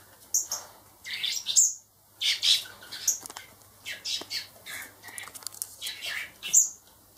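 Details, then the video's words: Baby blackbirds, four raised by hand to be freed later, keep up a busy stream of sharp, piercing squeaks and buzzy chirps, several loud peaks separated by brief pauses. "Baby Blackbirds"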